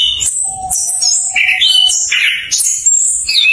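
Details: Lure song of an orange-headed thrush, meant to get stalled birds singing: bright high whistles and scratchy notes tumble in quick succession, some rising and falling, over a thin sustained lower whistle.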